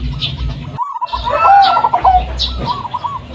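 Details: Zebra dove of the local Blorok Madu kind, sung to lure other doves into calling: soft repeated coos, then a loud, bubbling warbled phrase, with more quiet coos after it and some background noise.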